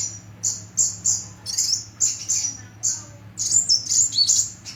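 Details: Small bird called kolibri, described as having a distinctive voice: very high, thin chirps repeated in quick bursts, then a sharper warbling twitter near the end, over a low steady hum.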